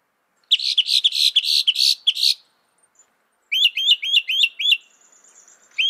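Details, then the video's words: A northern mockingbird, the bird said to reproduce 200 sounds, delivers a loud, buzzy series of repeated notes, then after a gap a clean run of rising chirps, with a faint high whine near the end. "Masteran suara burung NORTHERN MOCKINGBIRE bisa merekam 200 suara"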